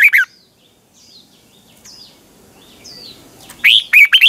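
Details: Red-whiskered bulbul decoy song for training caged birds to sing in the morning: a short warbled burst opens, quiet high chirps follow, then a loud tumbling phrase of rapid whistled notes closes.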